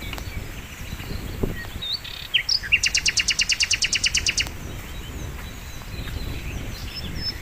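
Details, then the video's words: Sikatan londo flycatcher in full song, used as a training master for songbirds: a few slurred whistles, then a fast even series of about fifteen buzzy repeated notes lasting under two seconds, over soft ambient noise. "masteran mewah sikatan londo gacor"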